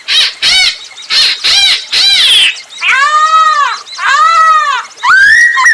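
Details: Captive masked laughingthrush used as a singing lure for other birds: harsh nasal rasping notes repeated about once a second, then drawn-out arched whistled calls and a rising whistle.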